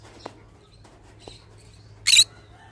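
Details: A single loud, harsh screech from a pet pineapple green-cheeked conure comes late, after a couple of faint clicks over a steady low hum.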